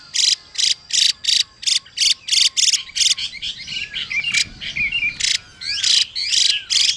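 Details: Female Chinese hwamei scolding with 'xùy' calls to trigger male song: about three coarse hissing bursts per second, then a stretch of varied whistled and warbled phrases from a male before the bursts return.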